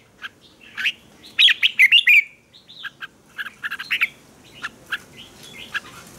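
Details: Red-whiskered bulbul fighting song to train birds: a loud central rush of fluty slurred whistles, followed by scattered quick chirps and shorter warbles over soft background noise.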